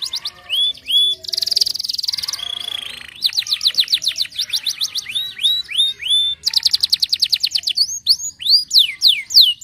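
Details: Canary singing, meant to prompt canaries to sing: opening whistled notes, a dense buzzy roll, then repeated falling chirps in fast series and bright rising whistles.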